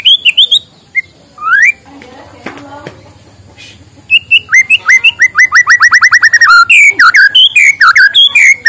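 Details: White-rumped shama in morning song, meant to coax lazy birds into singing: varied whistles and rising slurs, a brief lull with faint clatter, then a rapid run of descending notes building into loud, fast warbled phrases.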